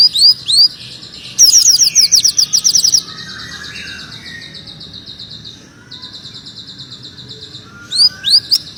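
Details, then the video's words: Greater green leafbird in energetic song with a tight, magpie-robin-like delivery: scattered upward-slurred whistles, then a fast rattling burst of high chips, a softer stretch of faint twittering, and more rising whistles at the end. "Burung Cucak Ijo Gacor Suara rapet - cucak hijau Gacor rasa kacer"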